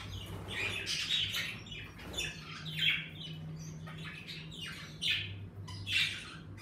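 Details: Budgerigars in an indoor bird room, lively as the weather warms, chatter in bursts of scratchy, high chirps and squawks about once a second, over a steady low indoor hum.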